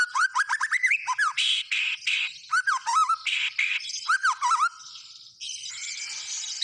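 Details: White-rumped shama singing vigorously, mixing rapid up-and-down whistled slurs with loud harsh buzzy bursts in quick succession, then a dry rasping chatter at the end.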